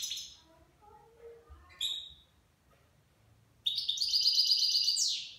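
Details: Goldfinch aged nine months singing Levantine-style song: scattered soft notes, a sharp chirp, then a loud sustained rapid trilling run of metallic tinkling notes that falls away at the end.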